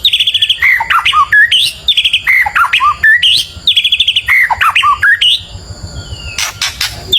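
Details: Singing white-rumped shama provoking neighbours' birds, repeating a phrase of high trilled notes dropping into descending whistled slurs about four times, followed by sharp clicking sounds.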